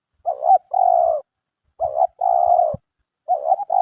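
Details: Cooing of a freshly trapped spotted dove chosen for its voice and body shape: each phrase is a brief wavering note and then a drawn-out, hollow low coo, heard three times with short pauses between.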